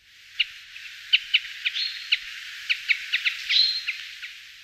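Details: Brambling with a scatter of short, sharp high chirps, irregularly spaced, and two longer thin whistled tones near the middle and end. A faint steady hiss lies underneath.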